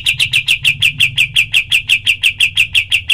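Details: Cotton pygmy goose, clear training recording for other birds: sharp, high, clipped notes repeated very regularly, roughly five per second, over a faint low hum.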